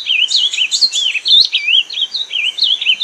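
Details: Azulão, the ultramarine grosbeak, in a continuous melodious warble of looping whistled notes that rise and fall quickly, with a steady faint hiss behind.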